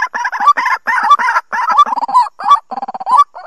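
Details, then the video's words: White-breasted waterhen, played to draw birds into traps in the 2020 season. Raspy, rhythmic croaks in close bursts, each burst ending in a brief rising twist, with faint low clucks between. "Tiếng Quốc Bẫy"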